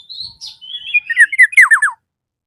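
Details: Black-naped oriole calling out to a rival: a thin whistled note, a brief burst, then a run of sliding notes that ends in three quick, loud, descending slurs.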